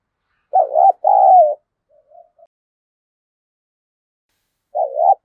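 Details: Spotted dove cooing to attract wild doves. One full phrase, a wavering double coo then a longer smooth note, is followed by a few soft trailing notes. A new phrase begins near the end.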